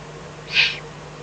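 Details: Eurasian eagle-owl in the Eifel at night, 24 May 2014, with fox brought as food. A single loud, harsh hissing rasp lasting about a third of a second, clear above a faint steady hum.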